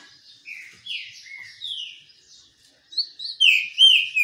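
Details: While basking in the sun, a green-winged saltator sings a quick run of smooth, downslurred whistles, growing louder and richer in the final second.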